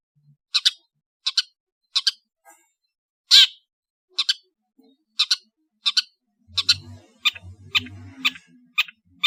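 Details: Madura long-tailed shrike song: short, sharp chirps repeated at fairly even intervals, with one louder harsh note, and faint low humming and murmuring in the background near the end.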